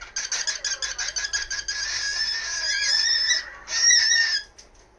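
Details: Cockatiel at home during its usual 1 pm spell of "kikiki" and "heavy metal" calling: rapid grating pulses merging into a long, continuous screech, then a second loud harsh scream.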